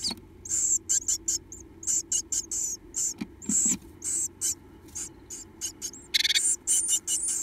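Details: Two remaining Japanese tit nestlings inside a dim nest box, mouths wide open as they beg for food; dense bursts of high, rasping chirps come in quick irregular runs, with a few soft knocks and a steady low hum.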